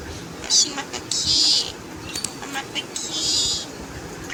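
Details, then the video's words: Household jungle myna, called salik pakhi, making weird sounds: two long, rasping, hissy high-pitched notes separated by short clicks and chips, quiet room around it. "Salik pakhi/ Jungle Myna talking and making weird sounds. কথা বলা শালিক"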